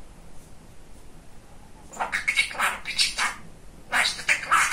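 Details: Talkative pet male budgerigar indoors: near silence at first, then quick raspy high-pitched chatter of word-like syllables in two bursts.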